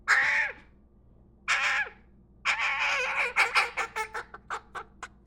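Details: A hand-reared baby crow, a nestling being fed apples and corn indoors, gives harsh, nasal begging caws while eating: two drawn-out calls, then a long raspy call breaking into rapid, shortening squawks.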